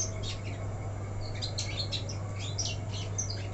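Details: A young, untrained black-throated canary, its cage left uncovered at night during a drizzle, sings a rapid, high, twittering run of short chirps and trills over a steady, low electrical hum.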